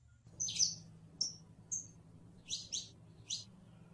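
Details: Saffron finch, or canario criollo, giving a few high, thin chip notes and short slurred chirps, spaced irregularly, with a low background hum.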